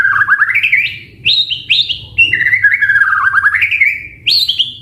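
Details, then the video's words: White-rumped shama in full varied song, a caged bird: rapid rising runs of whistled notes, several abrupt upward-swooping phrases and long level warbles, continuous and loud. "Masteran Suara Burung Murai Gacor Full Isian"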